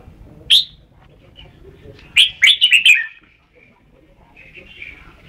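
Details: Red-whiskered bulbul recorded at Ban Song, one sharp chirp then a quick rippling phrase of five bright notes, then quiet with faint distant chirping.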